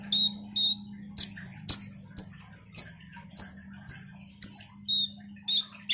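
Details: Common iora in energetic full song, played as a lure sound to draw responses from other songbirds: short clear whistled notes, some buzzy, repeated about once a second with steady gaps over a faint low electrical hum.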